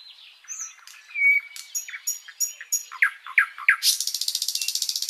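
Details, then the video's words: Sikatan londo flycatcher, used as a long master song for training pet birds. Varied whistled and chirped phrases, then quick rising notes, ending in a fast buzzy rattle. "Masteran Burung sikatan Londo gacor panjang"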